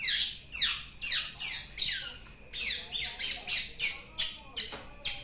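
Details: Long-tailed shrike delivering a quick run of scratchy notes that slide downward, about three each second, growing sharper and more clipped toward the end, over a low steady background hum.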